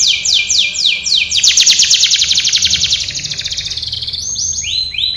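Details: A canary's training song, with spaced descending sweeps, a dense rapid buzzy trill, then soft rolled notes and rising whistled slurs at the end.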